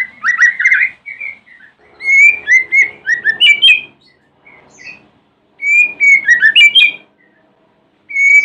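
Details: A white-rumped shama's morning song, used as a lure to provoke other shamas to answer: rich, fluting whistled phrases in three bursts of quick, varied notes, with short pauses between them.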